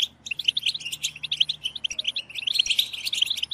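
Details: {'caption': 'Group of European goldfinches in a collective babbling chorus, used to stimulate goldfinches to sing: dense overlapping twittering, liquid chirps and short trills tumbling together, a faint low hum beneath.'}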